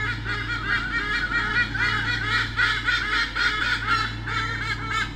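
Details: A pair of White-bellied sea eagles at Sydney Olympic Park, 2013, defending their territory from swooping currawongs, give loud, goose-like honking calls in rapid, overlapping bursts over a steady low electrical hum.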